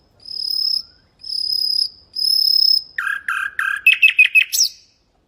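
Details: Common nightingale song for teaching canaries and goldfinches: three long, high, buzzy-edged whistles, then lower throaty notes that speed up into a rapid rising trill.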